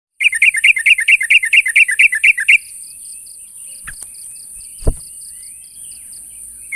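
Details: Sooty-headed bulbul calling to challenge a rival: a quick burst of about a dozen sharp, even chirps lasting two seconds, then quiet apart from a steady high hiss, a faint pulsing tone and two dull knocks.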